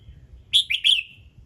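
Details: Red-whiskered bulbul in morning song meant to trigger other birds to sing: a brisk three-part chirping whistle, each note bright and slightly slurred, fading into a short drawn-out tail.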